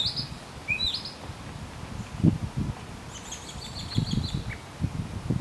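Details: Northern Mockingbird at Arlington National Cemetery, Virginia, USA, on 30 May 2015 sings a varied run of short high phrases: quick whistles, a rising slur, then buzzy chattering notes, over steady low wind rumble.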